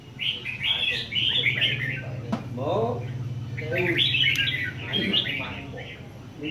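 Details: Red-whiskered bulbul from A Lưới singing on a show stand: lively, warbled phrases in three bursts over a low hum and human chatter, with a sharp click near the middle.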